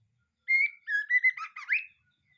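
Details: Caged white-rumped shama (murai batu), straight out of a breeding cage, giving a short song phrase of sustained clear whistles that break into a quick warbled flourish rising at the end.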